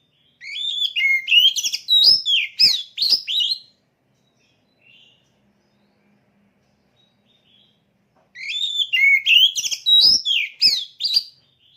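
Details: Oriental magpie-robin kept in a cage and prepared for a song competition delivers two long phrases of fast, varied whistling and scratchy notes, each roughly three seconds, with quiet gap between.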